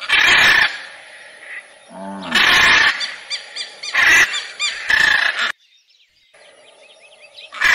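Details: Macaw squawking in harsh, broadband bursts about a second apart, with a lower grating call near the two-second mark and a late stretch of faint, quieter chatter.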